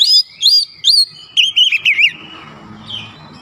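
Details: Lure song of a White-rumped shama meant to provoke other birds: rapid, rich whistled notes rising and falling, ending in a low murmur of background noise.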